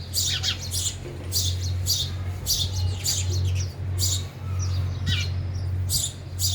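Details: Sparrows feeding at a feeder: clusters of high, scratchy chirps repeated at an uneven pace, over a steady low electrical hum.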